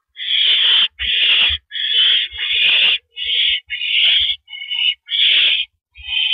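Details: Perched on a porch on the evening of April 9, 2012, an owl on a live camera produces about eight long, rough screeches, some running almost together, others broken by short gaps, over low thumps.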